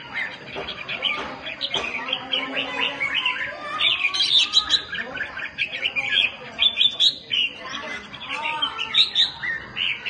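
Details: Red-whiskered bulbul singing during a fight: a dense, continuous run of bright chirped and warbled notes, many sliding sharply up and down, packed closely over ten seconds.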